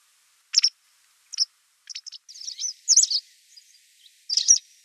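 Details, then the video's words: A white wagtail (Motacilla alba) gives sharp, high chirps and short twittering bursts, spaced irregularly, with a quick run of notes near the middle, against a quiet background. "Голоса птиц. Белая трясогузка."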